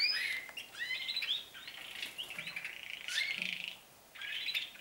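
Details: Canaries that are just beginning to sing, their trills now heard more often and for longer, give a fast, high run of bright chirps, trills and sweeping whistles, with overlapping phrases and a short pause before the song resumes.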